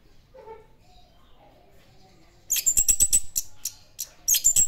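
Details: Orange-headed thrush singing in classic style: after a quiet start with faint low sounds, a burst of very high, thin whistled notes and rapid clicks, paused briefly, then resumed.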